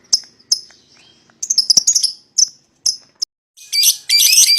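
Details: Spaced bright ticks give way to a jumbled twittering phrase, then loud continuous raspy chatter at the end, from a pair of young lovebirds calling to coax a rival into singing.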